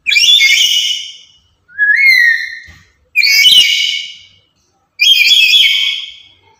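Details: Very loud, talkative lory used as a lure and tutor bird: four shrill calls about a second long, one a cleaner rising whistled note, the others harsh and noisy, spaced one to two seconds apart.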